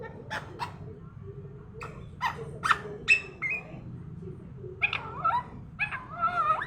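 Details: Parrot talking in the morning: scattered short harmonic calls and clicks, then wavering, speech-like modulated notes near the end, over a low steady background hum.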